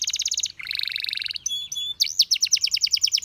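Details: Song of a canary for training: a quick pulsing trill, a lower, denser buzzing roll, a few sustained piping tones, then clear notes repeated rapidly in a steady rattle.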